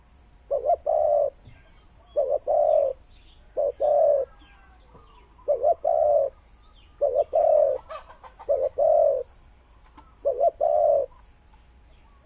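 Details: Spotted dove decoy with a good khu-ang style voice, said to draw wild birds in. Low coos repeat about every one and a half seconds. Each is a short stuttered double note running into a longer hollow coo, with faint chirps behind.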